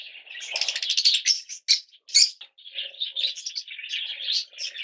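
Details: Yellow mutation Fischer's lovebirds chatter in a dense stream of shrill, scratchy chirps, with brief louder screeches around the two-second mark and softer twittering afterward.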